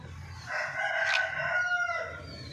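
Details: Domestic chicken kept with hens at a home farm, a rooster's drawn-out crow with harmonic bands rising and holding steady, then tailing off after about two seconds, small birds chirping faintly in the background.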